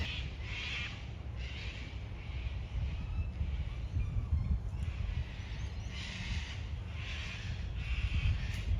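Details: Several cockatoos at Farm Cove, Sydney, on a rainy day give harsh, grating screeches in overlapping bursts about every second, over a steady low rumble of wind and city noise.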